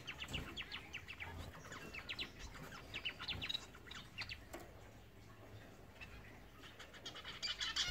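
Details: Blue-capped cordon-bleu (Uraeginthus cyanocephalus), call.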